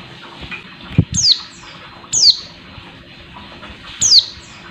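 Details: Calls of a female Oriental white-eye used to fire up a male bird: three sharp, high descending whistles at uneven intervals, some faint thuds and rustles between.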